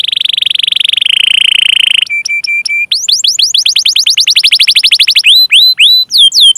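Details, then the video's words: Canary song for prompting other canaries: a steady buzzy roll that drops in pitch, short flat notes, then a lively run of upward-hooked whistled chirps. "Masteran Suara Burung Kenari Gacor Panjang cuit cuit Ngerol untuk Pancingan Kenari!"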